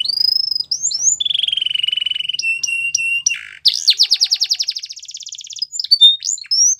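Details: Training song for young canaries from a Belgian canary: a fast high trill, a long lower pulsed rattle, clipped notes, then sharp rising strokes and a rapid rolling trill ending in whistled slurs.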